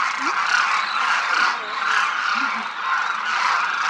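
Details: Large flock of demoiselle cranes flying in formation over a village sky in Rajasthan, India, crooning together; a dense, continuous chorus of overlapping rasping, croaking calls swells and fades without a break.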